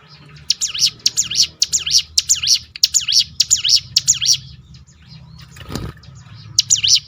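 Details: Volley of high, zigzagging chirps from a Crested honeyeater (ciblek gunung), its 'tembakan' roll meant to provoke other birds into singing, repeated rapidly for about four seconds, a pause with a dull thump, then another burst.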